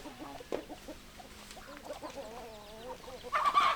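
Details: Chicken clucking close by: soft, evenly spaced clucks and a slightly wavering drawn-out note, ending in a sudden louder, harsh squawk.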